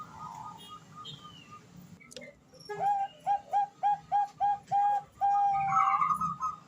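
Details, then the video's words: Female zebra dove of the Bangkok perkutut type calling to a male, recorded as a training lure; after faint sounds, seven clipped, ringing coo notes come in quick succession, then a drawn-out higher note. "suara perkutut betina memanggil jantan"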